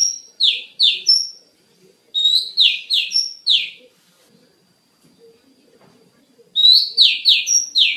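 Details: Oriental magpie-robin master song for training other birds: rapid runs of harsh descending slurred notes, four or five per phrase, broken by quiet pauses of nearly two seconds before the next burst.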